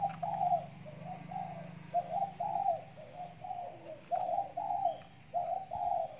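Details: Spotted dove kept as a caged decoy and sunned in the morning for its health, Kepulauan Riau, Indonesia: a run of soft mellow coos repeated about every half second in paired phrases, with faint low background hum.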